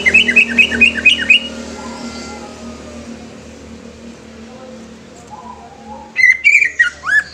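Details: Greater green leafbird with quick repeated falling chirps at the start and a jumble of slurred notes at the end, separated by a low humming background.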